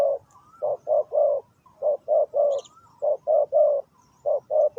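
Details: Spotted dove decoy calling for trapping: steady low hollow coos grouped in threes, each phrase about a second apart, with a thin whistled note between phrases and a brief high chirp in the background.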